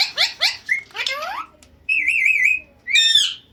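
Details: Talking pet ringneck parrot indoors making quick harsh chattering notes, then a long warbling whistle and a short rising whistled call.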